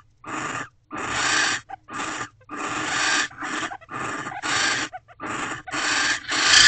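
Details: Barn owls in a nest box at night, 29 December 2023, around mating after the male comes back. Dense string of coarse hissing bursts of uneven length, closely packed with brief pauses.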